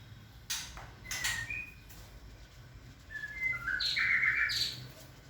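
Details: Caged white-rumped shama pair being introduced, a female in breeding condition meeting a male that does not respond to her; short sharp chirps and brief whistled notes, ending in a bright burst of high notes, over a low steady hum.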